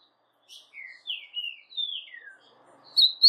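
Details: Captive brown-plumaged Ultramarine Grosbeak singing a slower phrase of long, drawn-out slurred whistles that slide downward, ending with two brighter, higher notes.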